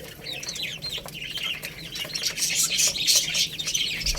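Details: Chicks eating rice, falling chirps early, then a rising dense wash of very high rapid peeping from several birds, ending with a low thump.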